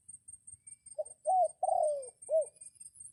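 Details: Crowing red junglefowl used as a decoy to lure wild birds in the rainy season: a single loud, short crow in four parts, a brief note, two longer sliding syllables and a clipped final note, over faint low ticking.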